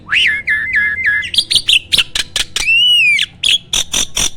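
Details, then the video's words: Starling singing as training material: a series of short down-dropping whistles, then clicks and chatter, one long arched whistle and a closing burst of rapid scratchy notes. "MASTERAN BURUNG JALAK"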